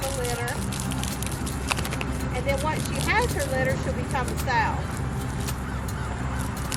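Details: Several whistling ducks on a homestead pig yard: clear, thin whistled notes in quick overlapping bursts, over a steady low rumble of farmyard noise.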